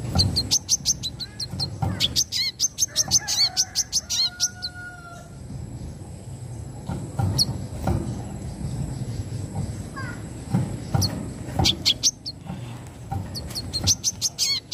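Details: Brown-throated sunbird singing in the mbeset nembak style: rapid bursts of very high, sharp ticking notes in fast runs, pausing, then resuming, with a faint low background hum.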